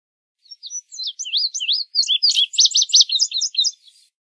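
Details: Indigo bunting song: a lively series of paired, high-pitched slurred notes, rising and falling, building into a run of rapid buzzy repeated elements, about three seconds of clear whistled phrases with no other sounds.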